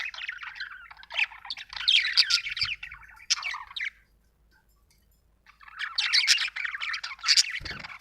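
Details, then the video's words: Busy warbling chatter from a budgerigar, with scratchy chirps and bright squeaks in two long runs split by a silent gap of about two seconds. "budgie chirping sound"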